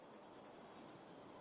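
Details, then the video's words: Palm Warbler singing at W. Lawrencetown, Nova Scotia, on 25 April 2020: a quick, high trill of about ten even notes on one pitch, lasting about a second, with faint background hiss. "Palm Warbler singing"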